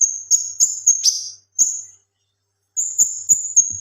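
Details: Male kinoi leafbird in full song, recorded for tutoring other birds: high piercing whistled notes with short rapid stutters, a brief buzzy burst, a pause of about a second, then the high whistle resumes.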